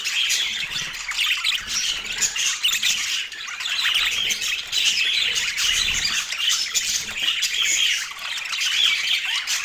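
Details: Pet parakeets at their autumn morning feed in natural light, giving busy high chirps mixed with rasping squawks in rapid, overlapping bursts that rise and fall in loudness.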